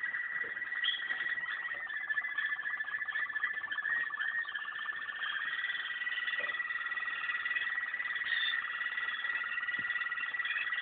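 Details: A Waterslager canary delivers an unbroken rolling, bubbling trill for about eleven seconds at a steady pitch, with faint higher warbled notes layered over it.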